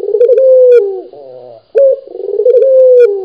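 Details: One long rolling coo from a local Barbary dove calling vigorously, a level throaty purr that bends down at the end, followed by the start of the next phrase.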